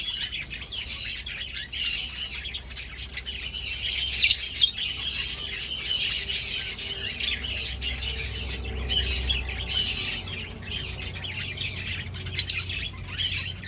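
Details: Breeding colony of aviary finches searching for nest sites, many birds calling at once in a steady wash of high chattering chirps and squawks, broken by brief gaps, over a faint low rumble.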